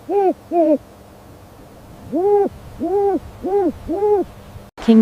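An owl gives short, hollow hoots that rise and fall, two quick ones and then four more at an even pace about every half second.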